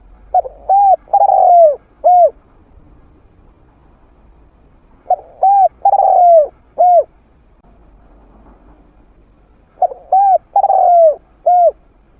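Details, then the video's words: A trained spotted dove with a medium voice, used to attract wild doves to fight. Three cooing phrases come about five seconds apart, each with quick paired notes, a long downward-sliding coo and a short closing coo. "เสียงนกฝึก นกเขาใหญ่เสียงกลาง เปิดต่อนกป่ากล้าเข้าสู้ไม่ตื่น"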